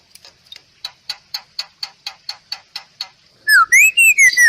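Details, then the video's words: Bali myna, a songbird of Bali, gives a steady series of about a dozen dry ticks roughly every quarter second. A loud, pure whistle then rises, dips and falls away, recorded as masteran training song. "MERDU KICAU JALAK BALI"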